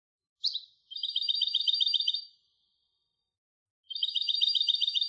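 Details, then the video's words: European goldfinch hybrid singing: an opening sharp chirp, then a rapid, even trill of high buzzy repeated notes lasting over a second, silence, then the same fast rattling trill again. "تغريد هجين الحسون Canto De Mixto del Jilguero"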